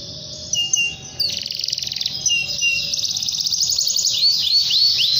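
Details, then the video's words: Canary calling a rival with long continuous song: brief chirps open into a rapid high rolling trill, ending in a series of quick down-slurred whistles. "KENARI GACOR PANJANG kenari memanggil lawan"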